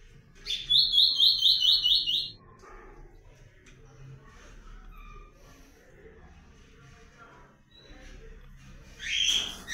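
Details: Comanche-style blue-black grosbeak in breeding season giving a fast buzzy phrase of rapidly repeated high notes lasting about a second and a half, then quieter background murmur and a final bright burst.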